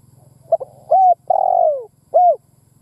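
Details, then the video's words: Cooing phrase from a lure spotted dove meant to rouse other doves: brief double note, a smooth level coo, a long vibrating coo falling at the end, and one rounded closing note, over faint low hum. "Tiếng Chim Cu Mồi Đất Thúc gù gáy"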